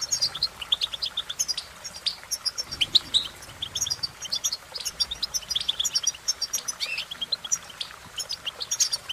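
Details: European goldfinch twittering steadily with rapid high chirps, trills and buzzy notes in an almost continuous flow, recorded against a slightly noisy background.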